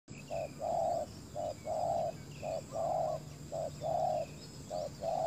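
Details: Spotted dove decoy used to lure wild doves to a ground trap, giving a repeated series of low mellow coos alternating short and long notes, about one per second, with faint higher bird chirps in the background.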